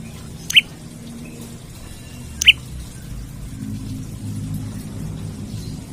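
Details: Olive-backed tailorbird singing for a rival, as a lure and tutor sound for other birds: two piercing, rising chip notes about two seconds apart, followed by quiet low rumble.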